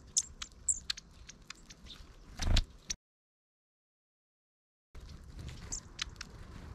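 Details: A flock of long-tailed tits, including one short-tailed bird, on 31 December 2022, gives thin, very high, brief ticking calls scattered through the clip, over low rumbling noise with a heavy thump and a short silent break.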